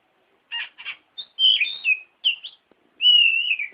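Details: Magpie-robin song used to train other birds: two short buzzy notes, then clear whistled slurs and a long, gently wavering sustained whistle at the end.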